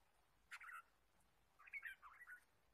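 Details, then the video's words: Red-whiskered bulbul in wild forest during bird trapping, 23 March 2017: two short bursts of bright, warbled chirping notes about a second apart, the second phrase longer and bubbling, over quiet background hiss. "Red-whiskered bulbul Chirping"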